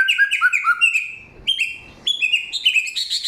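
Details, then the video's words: A samyong delivers a clear, loud song of forest material, strings of bright chirped whistles stepping downward, broken by two short pauses before rising, quicker notes return. "Inilah real samyong 1001 suara... Suara kencang, jernih"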